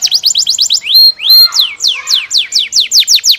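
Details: Canary singing, said to excite the neighbour's canary: fast downslurred whistled notes, two long rising whistles, then more rapid falling sweeps repeated several times a second, bright and loud.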